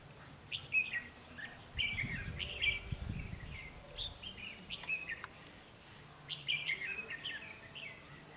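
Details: Red-whiskered bulbul of the white-cheeked Ché type, used as a decoy during trapping on 12 August 2016, sings to lure wild birds: short warbled, whistled phrases repeated in bursts with pauses, over low rumbling background noise.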